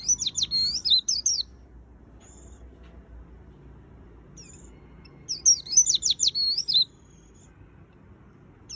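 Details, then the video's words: Singing white-eye delivers two separate bursts of fast, high, sharply modulated twitters, each about one and a half seconds long. Quiet gaps with a few faint thin notes separate them. "Suara Burung Pleci Gacor Full Isian - Tiếng chim vành khuyên líu"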